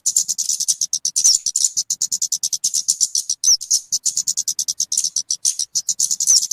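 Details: {'caption': 'Kemade (talokan) calling, suitable for luring or tutoring: a dense run of piercing, rapid pulses with occasional rising whistled notes and brief breaks.'}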